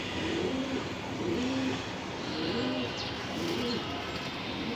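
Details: Racing pigeons at bath time in a loft in Rampura, Dhaka, Bangladesh, giving low, soft cooing phrases repeated roughly once a second over a steady background hum, with a brief splash-like rustle midway.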